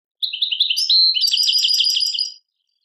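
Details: European goldfinch singing, linked to Tadmait, Algeria: a quick run of high twittering and tinkling notes, starting with slurred chirps and then a dense, liquid, buzzy warble, lasting about two seconds before stopping.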